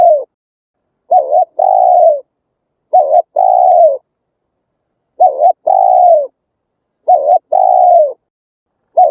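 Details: Spotted dove in Vietnam, its song used to lure wild doves and train newly caught birds. Mellow low coos come as a repeated pair, a brief wavering stutter then a long sliding coo, about every two seconds, with nothing else audible.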